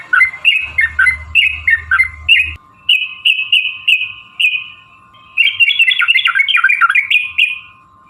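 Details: Sooty-headed bulbul 'ropel' singing used to make other bulbuls respond: rhythmic bubbly phrases, a stretch of evenly spaced clear whistles, then a dense rapid warbling burst, over a faint steady hum.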